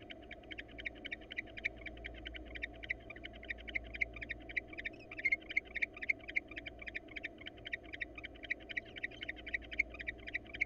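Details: Female barn owl, wild, soliciting a reluctant male to mate and later preening him; long run of fast, uneven ticking chirps, some louder, above a continuous low rumble.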